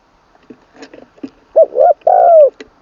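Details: Decoy-trained spotted dove from Thailand's Isan region: soft clicks and shuffling sounds, then a 'khan long kuk' phrase with a full middle voice, made of two quick coos and a long sustained descending coo.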